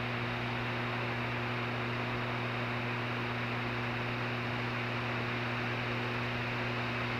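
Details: Unbroken hissing noise layered over constant low humming bands, with nothing animal-like heard.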